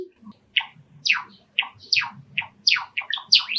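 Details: Indoor pet Java sparrow of the sakura variety, a male, sings near an open window while sparrows call outside: spaced downward-slurred chips that quicken into a rapid clicking run.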